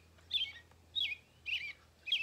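An American Robin sings clear, slurred whistled phrases, four short caroling notes spaced about every half second, over a faint low hum.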